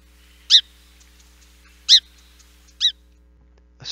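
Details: Song sparrow on the Mendocino coast in winter giving three soft, husky call notes used year-round to keep in touch, each a brief bark like a tiny dog, about a second apart, faint hiss.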